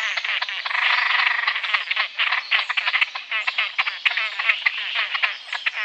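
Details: Great crested grebe calling with a continuous, grating, croaking chatter of rapid pulsed notes, louder at the start and then in choppy repeated bursts, with a clean quiet background.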